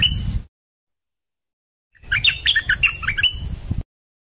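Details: Dok taeng bird song for teaching young birds and exciting birds: a short fragment, then after silence a quick, busy burst of high chirps and whistled notes over low rumbling noise.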